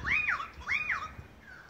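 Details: Two loud arched, fluting notes, each rising then falling, from Australian magpies singing together in Beverly Hills, Sydney, Australia, in August 2015, with a fainter note trailing after.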